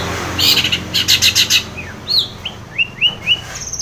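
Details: Song of a long-tailed shrike, used to coax a silent shrike into singing: a rapid string of harsh scratchy notes, then a series of clear rising whistles, repeated several times.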